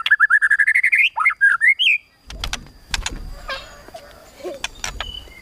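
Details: White-rumped shama in kretekan tembakan, a rival-provoking song: a fast run of about a dozen crisp rising notes climbing in pitch, a few whistled flourishes, then knocks and clattering noise.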